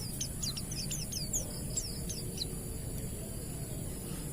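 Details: Ngalas-type song of an Oriental white-eye, played as a lure to prompt other white-eyes to sing: a brisk string of high, thin down-slurred chips for about two and a half seconds, then only low background rumble.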